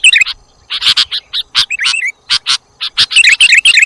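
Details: Sooty-headed bulbul calling on a bird-luring recording: staccato chirps and short buzzy notes in quick irregular bursts, about four a second, with one slurred whistle and a thicker burst of chirping at the end.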